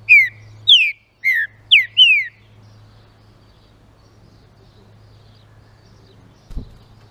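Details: Green-winged saltator singing a phrase used to excite other saltators: five loud, clear whistles, each sliding downward, delivered quickly in about two seconds, followed by quiet with a single soft thump.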